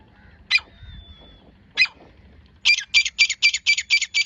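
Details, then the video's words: Female grey francolin, known locally as teetar, recorded on 24 January 2025: two harsh broadband notes spaced apart, then a fast series of loud, grating notes repeated about twice per second. "#grey Francolin #birds female #teetar sounds"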